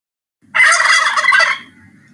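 A turkey gives one rapid, rattling gobble lasting about a second, a loud burbling burst that ends abruptly.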